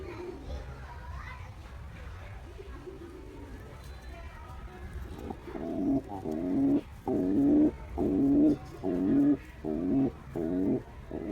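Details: Male pigeon cooing to a female: after several seconds of low background rumble and murmur, a run of deep, throaty coos starts, each roughly half a second long and coming about once a second.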